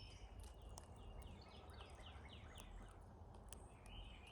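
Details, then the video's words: Many cowbirds visit a feeder while migrating through North America, producing a rapid series of sliding, downward-swept whistles, one after another, ending with a steady higher note. "Love the funny sound cowbirds make!"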